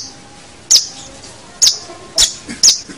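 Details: Long-tailed shrike used for training other songbirds: four short, sharp, high squeaky notes spaced irregularly over three seconds against a quiet background.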